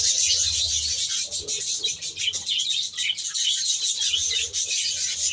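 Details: Budgerigar flock in an aviary producing dense high-pitched twittering and chirping throughout, overlapping calls from many birds.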